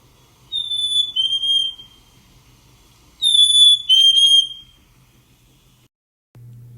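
Black-capped Chickadee giving two clear, whistled fee-bee phrases, a higher note dropping to a lower one, about three seconds apart, over a faint low indoor hum.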